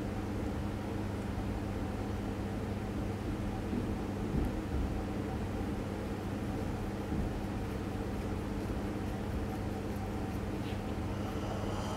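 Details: A steady low rumble like an idling engine or vehicle, with a constant hum and no clear animal calls.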